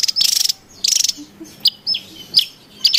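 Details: In the wild, a Javan tesia gives busy lure calls: two buzzy pulsed rattles, then scattered sharp high whistled notes slurring downward, with a final rattle starting at the end.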